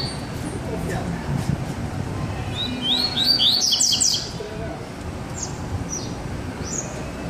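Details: Caged Double-collared seedeater, singing again after bathing, gives a quick burst of high, sharp, tumbling notes with a few scattered chirps, over a man talking and low background noise.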